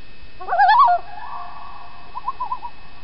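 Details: Loon calling on an evening paddle on Chibiabos Lake, Algonquin Park, when the loons were very vocal: a loud, quavering, wavering tremolo that rises and falls, trailed by a softer, more distant tremolo reply.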